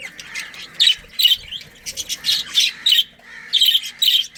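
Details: Budgies from a breeding colony giving loud rasping squawks in bursts, about eight clear calls with short pauses, chirping chatter between them and little other noise.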